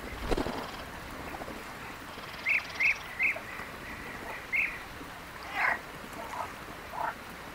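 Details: European bee-eaters in the Palestinian countryside giving a series of short trilled calls in quick succession, some fainter notes after, against constant outdoor noise.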